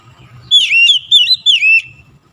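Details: Oriental magpie-robin in full song on a quick lure recording made to prompt birds to sing: three bright, fluting whistled phrases in close succession, each bending up and down, over a faint low rumble.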